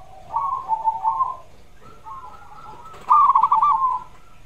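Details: Singing zebra dove played as therapy to prompt a reluctant caged bird into calling, with mellow wavering coos rising into a bright rapid trill near the end over a low background hum.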